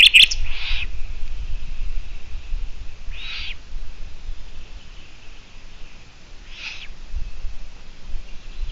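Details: Long-eared owl from a live broadcast dated 17 June 2017, 12:14: three separate scratchy, wheezing squeaks spaced roughly three seconds apart over a low, steady background rumble.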